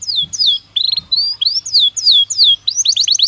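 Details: Short, varied phrase from a Belgian canary singing naturally: swooping whistled notes and quick rattles that end in a fast burst of rising chips, with a faint low hum beneath.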